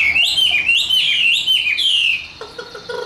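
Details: Tame caged Chinese hwamei singing its fighting song: loud, clear whistled phrases that rise and fall in quick wavy loops, a long sliding note near the end, then softer lower notes.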